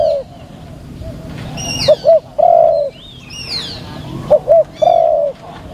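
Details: Spotted dove used as a decoy bird in a trapping session that fails: two soft, low coos in quick succession, then a longer drawn-out coo, the phrase repeated twice, with higher chirps from other birds around it.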